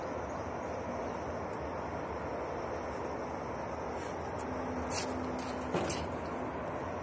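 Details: Steady broadband outdoor hiss with low rumble and a couple of brief sharp clicks near the end; no animal calls stand out.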